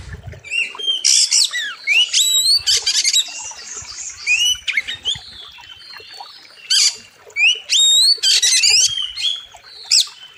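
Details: Master training song of an oriental magpie-robin, locally kacer, described as sharp and full of mimicked fill-ins: rapid high whistled slurs, buzzy chatters and upward sweeps in loud bursts separated by short pauses.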